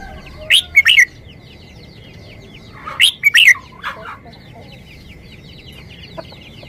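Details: Red-whiskered bulbul delivering a short song: two clear bursts of quick, liquid, slurred whistled notes, about two seconds apart, with a faint note near the end. A constant thin high tone and soft repeated chirps sound underneath.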